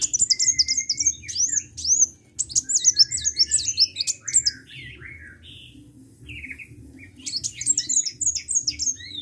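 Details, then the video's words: Energetic sunbird singing: high, sharp twittering bursts and thin downslurred whistles, a steady lower whistled trill early on, a quieter stretch midway, then renewed rapid high chatter. "KICAU BURUNG KOLIBRI GACOR"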